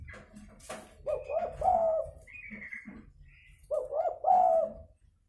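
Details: Lure recording of a spotted dove's fighting call: two cooing phrases about three seconds apart, each a quick series of soft, low, rolling notes, with a thin higher whistle from another bird between them.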